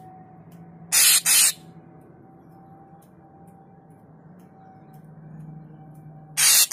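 Loud hissing spray bursts come twice near the start and once at the end over a low steady hum, with no animal call heard.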